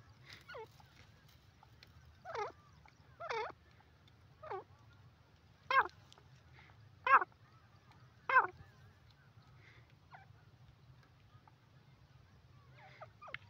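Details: Grey francolin breeding pair calling: a series of loud, harsh notes sweeping up and down, spaced roughly a second apart and fading toward the end, over a steady low hum.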